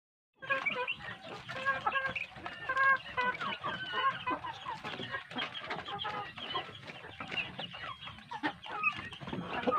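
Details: Large domestic chicks, village chickens raised on good feed, in a dense flock: many overlapping high, short peeping and cheeping notes, some rising or falling, sounding almost continuously without pause.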